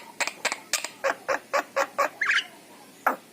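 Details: Javan myna of the yellow-eyed type singing to spur pet mynas into song: eight evenly spaced harsh, nasal chack notes about four a second, then a brief warbled whistle and one final rasping note after a pause.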